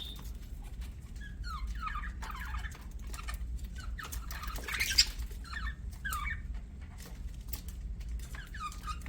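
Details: Budgerigar chirping softly: scattered short, falling whistled chirps and faint chatter over a steady low hum.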